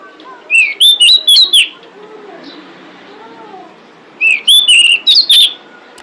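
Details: Female pied bushchat calling to draw in males: two rapid bursts of five or six loud, slurred whistles about four seconds apart, with faint soft warbling notes from another bird in the gap.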